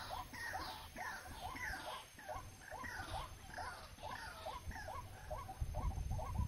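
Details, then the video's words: White-breasted waterhen, locally called ruak-ruak, near a trap: a long run of paired, rising croaky notes, about two per second, with low rumbling noise that swells toward the end. "Ruak Ruak Nakal"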